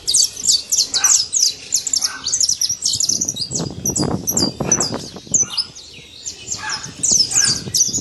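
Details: Wild saffron finch in nature delivering a busy run of high, sharp chirps and slurred tweets, nearly continuous over several seconds, with soft low background rumble.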